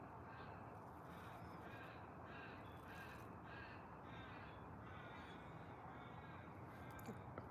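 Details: Two ravens in separate trees call to each other in the background on a foggy morning at about 2 °C: a run of about ten harsh, throaty caws, roughly two a second, over low wind rumble.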